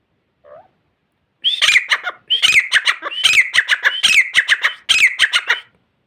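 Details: Grey francolin calling at Layyah: after a faint short note, a loud, harsh, ringing series of rapid repeated phrases, each with a rising squeal and clipped notes, running in three bursts for about four seconds.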